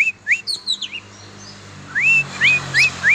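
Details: Oriental magpie-robin, kept and being exercised, sings a few quick chirps and then four clear upslurred whistles at an even pace, with a faint low hum behind.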